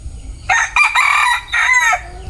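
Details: Male bantam chicken gives a loud crow of about one and a half seconds, broken into three harsh, strained segments with a drawn-out final note, over faint low background hum.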